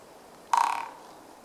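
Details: A single loud drum roll from a Japanese pygmy woodpecker, recorded close in March 2014 (8th), its drumming rather slow: a rapid series of knocks trailing off after about 0.4 seconds.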